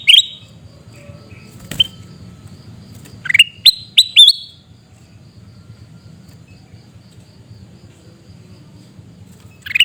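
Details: Sooty-headed bulbul in Pidie, Aceh, Indonesia giving loud, abrupt shrieking notes: an isolated sharp call, then a tight cluster of four piercing, slightly rising notes, another single call closing after a quiet stretch.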